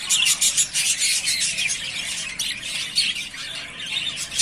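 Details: Rapid pulsed chirping and squealing from three yellowface spangle budgerigar pairs ready to breed, roughly three notes a second, in a loud, steady group chorus.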